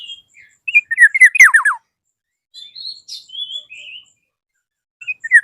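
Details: Rival-calling Black-naped oriole: a burst of loud descending slurred notes, then a quieter stretch of thin whistles and buzzy fragments, and a sharp note at the end.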